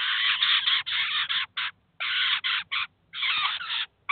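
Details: Eurasian jay with its chicks at a cheese feeder in the city of Kaluga, where the adult brought the young to feed and teach them; harsh, rasping screeches in quick bursts, a few grouped together, then short pauses.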